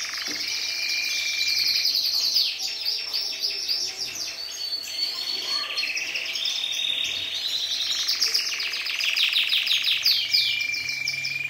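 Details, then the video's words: Syrian canary in full song: dense rolling trills and rapid chattering phrases, bright and high, changing pattern every few seconds over a faint steady background hum. "تغريد كناري سوري"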